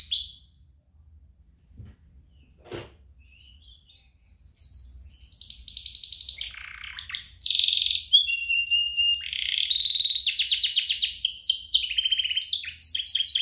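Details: Two canaries used to prompt young canaries to sing: near silence with a single click at first, then song builds into bright whistles, buzzy rattles and fast high trills repeated several times per second.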